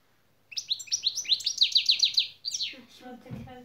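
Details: Training-session goldfinch singing the şak şak figure: a long stream of rapid, clear, ascending high notes, about a dozen in a row. The phrase breaks into a twittering tail, and a man speaks at the close.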